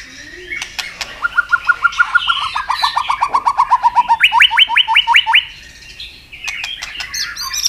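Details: White-rumped shama, fired up and singing a fighting song in a contest, flapping and turning, with many wild forest voices. A steady run of about twenty evenly spaced clear notes steps up in pitch, then brighter sweeping notes and scratchy twitters follow.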